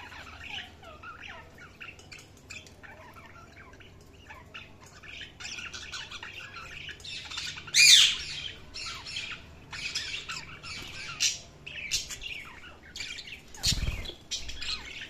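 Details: Budgerigars in a flock chattering continuously with squawks and chirps, one sharp loud squawk midway, over a low indoor hum and a single thud.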